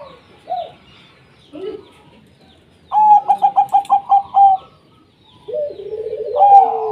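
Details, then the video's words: Local zebra doves in song intended to draw other doves into singing: a few soft low coos, then a loud run of about eight evenly spaced pulsed beats, ending in a rising rolling phrase. "Perkutut Lokal Gacor 100% JITU Ajak Perkutut Malas Bunyi Dijamin NYAUT LANGSUNG RAMAI"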